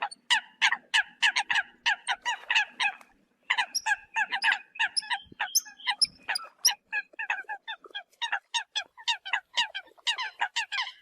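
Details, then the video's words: Eurasian coot calls used as a decoy call: rapid series of short, nasal, honking notes, roughly three per second, with a brief break near the middle before the calling resumes unevenly, some notes overlapping. "TIEN CHIM SAM CAM CUC CHUAN TIENG CHIM MOI"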